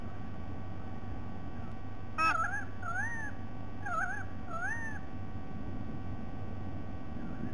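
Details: White-bellied sea eagle recorded 07 12 2020, a sharp click, then two pairs of tonal honking notes, trembling and arched, within about three seconds, set against a constant low hum and rumble.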